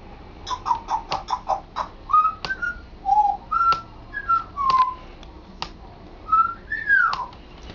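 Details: Pet African grey parrot, male, practising talking at home; a rapid series of clicks and short syllables, then a sequence of brief flat whistled notes at varied pitches and a final arched whistle.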